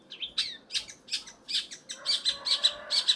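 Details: Long-tailed shrike song with a string of scratchy, high chirps about two per second, becoming denser and more whistled toward the end.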